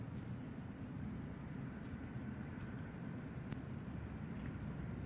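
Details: Constant low rumble of engine or vehicle noise with a single sharp click near the end, no animal heard.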